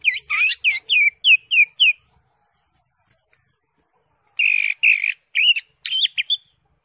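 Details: Greater green leafbird in vigorous ngentrok song with varied fill notes: a fast run of about ten hooked chirps, two seconds of near quiet, then a second burst of loud buzzy chirps and rising whistles.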